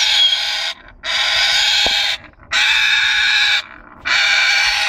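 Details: Congo African grey parrots, a breeding pair, giving loud, harsh, broadband screeches in four long bursts of about one second each, separated by short silent gaps; one brief click is heard in between.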